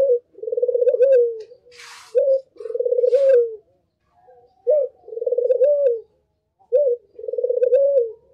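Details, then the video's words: Actively calling Barbary dove used to lure others: a steady sequence of short rising notes, each followed by a rolling, vibrating coo, roughly every two seconds, with two soft rustling noises near the start. "Pancingan paling ampuh untuk semua jenis Burung puter || SUARA BURUNG PUTER gacor"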